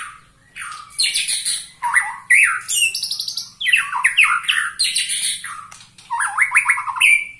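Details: Loud song from a 21-year-old white-rumped shama: vigorous phrases broken by brief pauses, blending shrill buzzy bursts with slurred descending whistles and short rapid trills.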